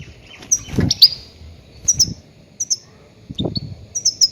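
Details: Goldfinch cries for trapping grey-headed goldfinches: short, high, tinkling chirps in small groups roughly every half second to second, with dull low knocks between them.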